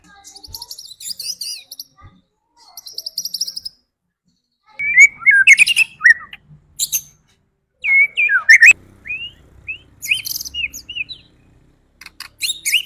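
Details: Lure song of a white-rumped shama meant to make birds agitated and sing: short bursts of high chatter separated by pauses, then bright varied whistled phrases and quick upslurred notes.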